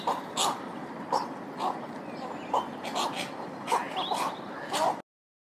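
Cattle egret giving short, hoarse, croaking barks, about eight in five seconds at an uneven pace, over a steady background hiss.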